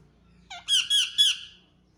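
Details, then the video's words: Pet Indian ringneck parakeets, kept indoors and described as talking parrots; one bird gives three quick, harsh, nasal notes rich in overtones, the last one loudest, in a quiet small room. "Talking indian Ringneck Parrots"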